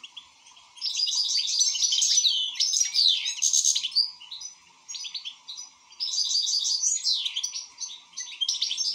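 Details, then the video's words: European goldfinch in full song: rapid, bright twittering phrases of tinkling, liquid notes and buzzy trills, delivered in bursts of two to three seconds with short pauses between, over a faint low hum. "حسون شغال"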